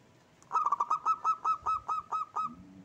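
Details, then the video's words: Local zebra dove (perkutut lokal) delivering its rolling song: a rapid run of about eleven clipped, ringing coos, tightly spaced at first and then slightly more spread out, followed by a faint low tone at the end. "Perkutut Lokal Gacor jenis suara paling disukai"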